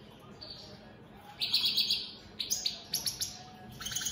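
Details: Caged European goldfinch of the opal split satiné mutation giving short bursts of buzzy, twittering notes after a quiet start, with a few sharp chips near the end and soft background hum.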